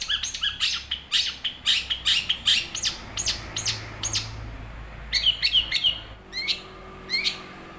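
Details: Long-tailed shrike, young and wild, whose song serves as a lure for caged birds; fast harsh chattering in a dense run, followed by short whistled notes and sparse chips.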